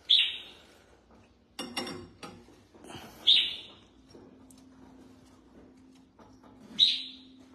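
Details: Red-whiskered bulbul at bathing and sunning time, delivering three loud, ringing whistled phrases spaced a few seconds apart, with clattering noises and a low steady hum between them.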